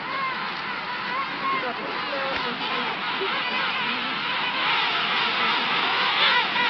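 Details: A dense chorus from a King penguin colony of at least half a million birds at Salisbury Plain, Falkland Islands, on a sunny day: many overlapping trumpeting, warbling calls rising and falling in a steady roar with no pauses.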